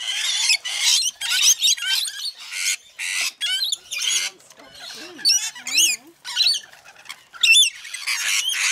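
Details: Rainbow lorikeets in a feeding frenzy at Mount Tamborine, Queensland: dense harsh screeching early, then sharper chevron-shaped whistled squeals and chatters in short separated bursts.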